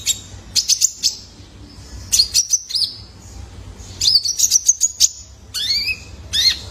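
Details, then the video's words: Young male Van Hasselt's sunbird used as a lure for caged birds: clusters of rapid very high ticking chirps in three bursts, ending with two rising swept whistles. "PANCINGAN KONIN BAHAN IKUT GACOR !! COCOK BUAT TERAPI KOLIBRI NINJA - SUARA ANAKAN JANTAN!!"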